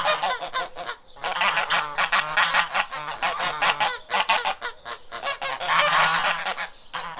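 Several geese honk almost continuously, loud nasal calls overlapping in quick bursts with only brief pauses.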